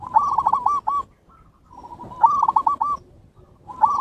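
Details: Zebra dove song, Bangkok and local birds, used as a training lure for caged doves: low, pure cooing phrases of several quick stuttering notes, each phrase about a second long, repeated three times.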